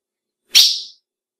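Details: A single female ultramarine grosbeak (azulão) call of the kind used to excite males: a brief, piercing, high chip that fades quickly, with nothing else audible.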